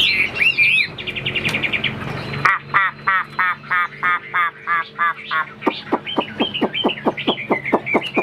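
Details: Caged Chinese hwamei, a fighting bird shown flaring and playing its wings: loud rapid harsh repeated notes in a steady series, about one and a half per second, then sharp clear whistled notes at the end.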